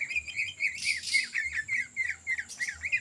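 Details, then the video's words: Cucak ijo, the greater green leafbird, singing energetically in ngetrok style for luring other birds: quick repeated slurred whistles, each dipping in pitch, delivered in a steady chattering stream with a thin continuous high tone behind. "CUCAK IJO GACOR Ngetrok Cocok Untuk Pancingan"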